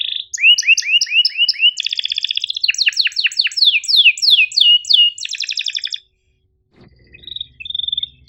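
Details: Canary tutor recording with sharp chirps and rolling phrases for canaries slow to sing and young learners: upward-hooked chirps, a buzzy trill, a series of steep falling whistles, then a pause and a faint low hum.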